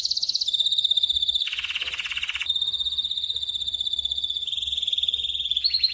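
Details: Rich master song of a local canary for teaching other birds: nonstop fast rolling trills, briefly dropping into a lower, harsher buzzy roll, then resuming bright, evenly pulsed high trills with slight pitch shifts.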